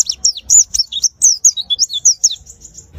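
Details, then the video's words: Kept white-eye singing a rapid run of high, thin twittering notes, sliding up and down and tumbling one after another with almost no pause, clear and close. "Rawatan pleci agar rajin bunyi"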